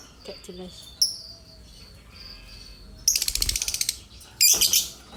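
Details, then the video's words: Disturbed lovebird giving two harsh bursts of fast, buzzy, high chattering chirps in the second half, after a few isolated thin tweets, over a quiet background. "Kalau gak digangguin gak bunyi dia"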